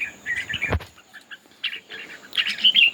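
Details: Red-whiskered bulbul contest singing: short, bubbly warbled phrases broken by a sharp thump. Then a brief pause before a brighter, clearer burst of notes at the close.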